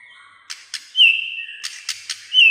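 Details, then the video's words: White-rumped shama, a bird said to sing most of the day: high clear whistled notes interleaved with sharp broadband clicks or snaps, repeated a few times. "chòe lửa sẻ hót cả ngày"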